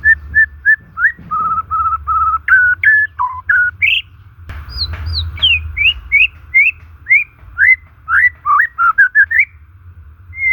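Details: White-rumped shama natural song for luring shamas that have gone quiet or are stressed: rapid sequences of short whistles, level and slurred notes, and high downward sweeps in an unbroken varied flow, with a soft constant hum.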